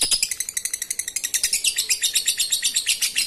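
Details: Ngekek receh singing from a lovebird, played as a lure for reluctant singers: quick, bright, high-pitched chirps repeated about four times a second in an unbroken chattering string.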